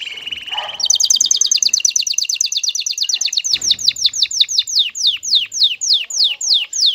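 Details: Aroused male canary's song aimed at a female: a short low note, then a long rapid trill of repeated notes slowing into distinct descending sweeps about five per second.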